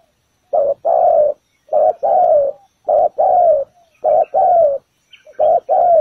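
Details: Spotted dove calling as bait at a ground trap. Rhythmic low coos come in five even pairs, a brief note leading into a longer warbling, downward-sliding one, separated by short silences.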